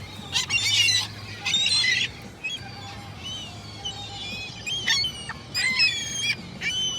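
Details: Gulls crying in loud, harsh bursts, then thinner, scattered calls, with a low steady hum underneath.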